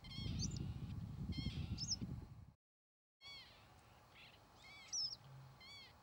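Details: Northern lapwing (Vanellus vanellus) in flight giving nasal, slurred calls, some rising and others bending down, about half a dozen notes; a strong low rumble of wind fills the first half, then a short silence.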